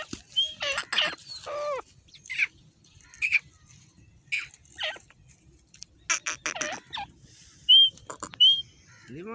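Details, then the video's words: Female grey francolin, also called grey partridge or teetar, calling: a series of loud harsh squawking notes with descending harmonics and a couple of high whistled notes near the end, spaced irregularly over about nine seconds. "Grey francolin Female Speaking | grey partridge Female sound"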